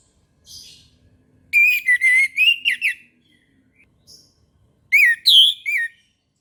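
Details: Orange-headed thrush singing in the morning: a rapid, rolling warble of linked whistled notes lasting over a second, a short pause, then a brighter three-note phrase with a high slurred centre.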